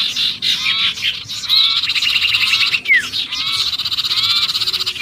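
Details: Agitated sirpu distress calling, as though caught, played to attract other birds: rapid rattling buzzy notes mixed with short falling whistles in quick overlapping runs.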